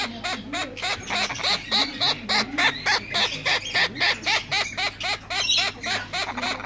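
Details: Three tame captive-bred male turquoise-fronted amazons giving rapid, regular squawking calls, about three or four a second, each a harsh nasal note with rising-falling tone, continuing steadily through the clip.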